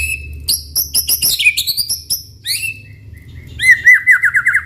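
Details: Lively white-rumped shama song meant to prompt other shamas to sing along, bright rising whistles and fast chips, then a repeated looping whistled motif near the end, over low background hum.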